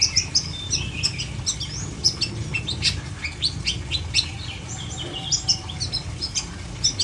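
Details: Long-tailed shrike (cendet) delivering a busy string of scratchy chips and brief whistled notes at an irregular pace, some notes doubled, with a low rumbling hum underneath.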